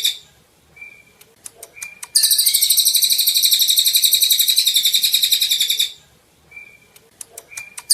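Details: Energetic song of a golden-bellied gerygone, used as tutoring material for cage birds: brief whistles and ticks, then a loud, buzzy, fast-pulsed high trill lasting nearly four seconds, then more short whistles.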